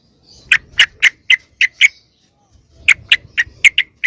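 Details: Yellow-vented bulbul lure call, used to draw wild bulbuls closer: two bursts of harsh, clipped chip notes, about six per burst, evenly spaced roughly a quarter second apart, separated by a short pause.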